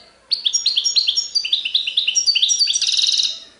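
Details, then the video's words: European goldfinch singing a song in the Serfati Tiwawati style: a rapid run of bright, twittering notes with a short stutter at the start, ending in a dense buzzy trill, against a quiet background. "تغريد حسون سرفاتي تيواواطي"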